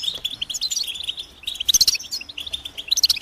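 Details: European goldfinch bitbita twitter, mating and readiness calls said to stir silent males into song; bursts of bright, high chirps and rapid twitters, louder clusters near the start, middle and end, with brief pauses between.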